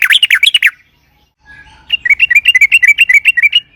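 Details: Sooty-headed bulbul in lively ropel panjang song, a lure for making bulbuls sing: a rapid warbled run of notes, a short break, then a quick regular string of bright whistled chirps.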